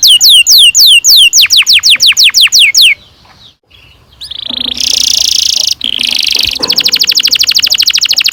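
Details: Canary in full song with a long roll, used as a lure for young canaries: quick descending whistled sweeps, a short pause, then harsh buzzy notes and a fast rattling trill.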